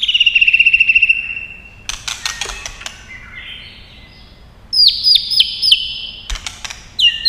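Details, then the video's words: White-rumped shama in fighting song with long phrases: a fast trilled whistle, bursts of clicks, a lower buzzy phrase, then repeated high dropping notes. "kích Chòe Lửa hót đấu căng lửa.chòe Lửa hót giọng dài"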